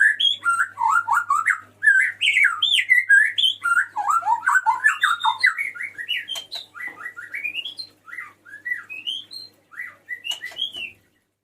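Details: Male white-rumped shama calling a female with a long, rich song: fast, varied whistled phrases that swoop up and down, with crisp clicks throughout, gradually thinning into spaced rising notes.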